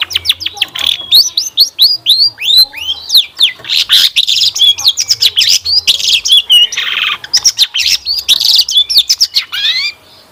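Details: Long-tailed shrike singing continuously in a lure recording that makes caged birds answer: a dense, varied stream of high slurred whistles, chips and rapid trills, nearly unbroken for ten seconds before stopping abruptly.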